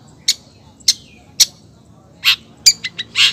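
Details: Long-tailed shrike female calling for the male, giving three sharp high clicks spaced about half a second apart, then a burst of harsher, buzzy notes and quick chips at the end.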